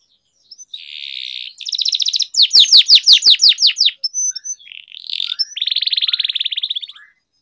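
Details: Canary tutor song for a bird that has stopped singing: a buzzy roll, a burst of rapid falling whistled notes, then a long, steady, high buzzing roll near the end.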